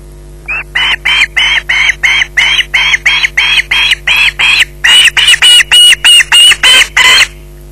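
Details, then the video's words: Nest-camera recording from Loch Garten at 20:33: an osprey with a fish utters a long, steady series of about twenty harsh screeches, repeated several times a second and growing louder and shriller toward the end. "Bynack screeching in possession"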